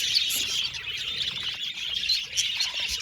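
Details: Budgies chirping together: a dense, continuous wash of high twittering and short tweets with scattered brighter chirps, no pauses, and no other sounds standing out.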